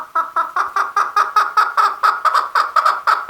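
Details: Male chukar calling a steady, rapid series of harsh clucking chuk notes, about four or five each second, with no break across the whole recording.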